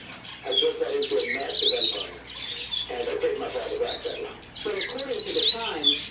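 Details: Yellow-fronted canary, a small caged bird said to sing often, recorded at a bird shop in Mizunami, Japan: bursts of bright, high twittering warbles near the start and again toward the end, over lower murmuring chatter and shop background.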